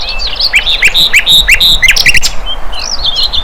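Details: Wild flycatcher, known as sikatan londo, delivering a rapid chattering series of high, slurred chirps and twittered notes, pausing briefly before a few more thin whistles, over steady low background rumble.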